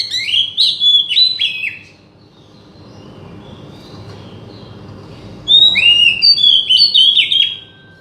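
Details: Oriental magpie-robin song meant to trigger singing in a silent bird: two loud bursts of rich, varied whistled notes with quick slurs, separated by a few seconds of quiet hiss.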